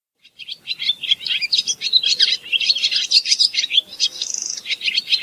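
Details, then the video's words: Continuous barn swallow song: a fast, jumbled stream of high chirps and warbles, briefly broken by a thin, even buzz near the end. "Layang2 Asia"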